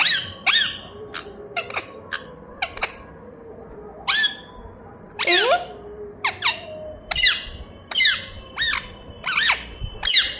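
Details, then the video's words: Pet parrot chirping steadily indoors, many quick sharp downward chirps and squawks, irregular bursts throughout over a faint background murmur. "Parrot chirping sounds"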